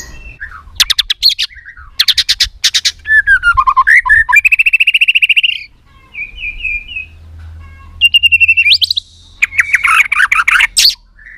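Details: White-rumped shama female voice, tạch líu, to excite males for fighting: clusters of fast clicking rattles alternating with buzzy trills and clear whistled phrases, a low hum underneath.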